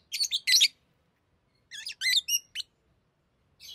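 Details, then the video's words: Captive lovebirds chattering as they play with rings: a loud cluster of shrill chirps, a pause, then a run of rising and falling squeaky notes and a last brief chirp. "Love birds Talking | Singing Sounds"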